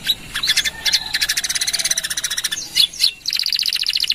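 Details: Gacor canary with long 'nembak' song, recorded as a master for training birds; dense buzzy rattling trills, a brief pause with two chirps, then another rapid pulsed rattle.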